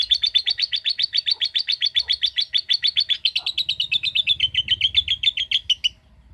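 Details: Lovebird in a long ngekek trill, a quick, evenly pulsed rattle of scratchy chirps that runs for six seconds, easing slightly lower in pitch near the end before stopping abruptly.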